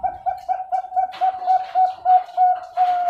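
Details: Zebra dove kept as a breeding bird at a bird farm in Pasuruan, East Java, Indonesia, with a thick, deep voice: a rapid run of short low even coos, about three a second, then longer drawn notes, with rustling noises.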